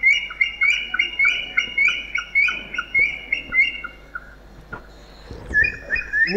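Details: Red-vented bulbul (Pycnonotus cafer) near Sangli, Maharashtra, India, calling: a run of short, bright chirping notes, nearly two a second, then a pause and a few louder, harsher calls.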